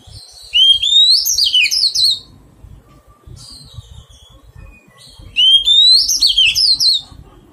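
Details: Oriental magpie-robin, a wild-caught bird being tamed, gives two loud whistled phrases several seconds apart. Each rises sharply, then dissolves into rich jumbled warbling. Soft scratchy notes and low background noise fill the gap.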